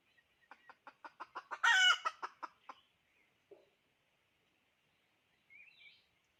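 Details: Hen chicken kept as a decoy gives a quickening row of clucks that peaks in a single loud, rasping squawk, then trails off into quiet with a faint high chirp near the end.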